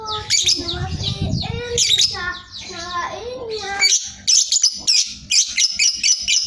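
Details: Sooty-headed bulbul in ngekek style, a tightly spaced chattering song: low fluted whistles slide downward, then a fast high chatter of sharp notes comes in short repeated bursts, with clattering noise underneath.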